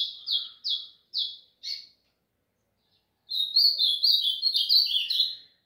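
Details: A caged White-throated Seedeater, placed outside in the sun for its daily warm-up and bath alongside a singing Blue-black Grosbeak, gives four clear, high chirped notes, then a quick run of bright, tumbling warbled phrases.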